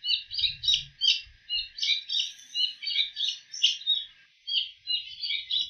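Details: A single wild bull-headed shrike imitating other birds' calls: dense bursts of high chattering, twittering notes in quick phrases, pausing briefly between runs, with a faint low thump early on.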